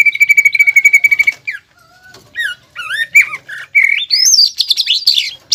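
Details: Caged greater green leafbird in lively contest form, singing a master song with a luxurious pelatuk bawang fill for training other birds. It opens with a steady pulsed whistle, then pauses and breaks into varied rising and falling whistled phrases.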